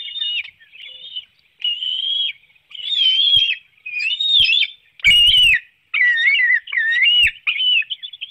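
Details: Bald eagles on a webcam nest in Hanover, Pennsylvania, 9 June 2019, 7:04 a.m., at feeding time with a small fish. Drawn-out, thin whistled squeals come about once a second, with a few soft thumps and one loud rustle.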